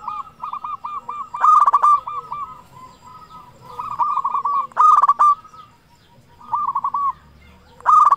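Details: Zebra dove, local and a keen singer, used to stir other zebra doves into song; continuous strings of rolling hooked coos with three loud, bright bursts spaced a few seconds apart.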